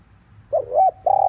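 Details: Spotted dove giving an afternoon 'thúc liu riu' coo. Two brief, wavering lead-in notes are followed by the start of a sustained, mellow coo, with a faint low hum behind.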